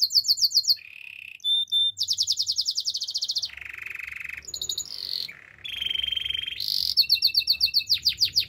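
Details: Canary song for training: fast repeated high trills, buzzy rattling phrases and steady rolling tours, changing every second or so, with a brief low churring section between bright whistled runs.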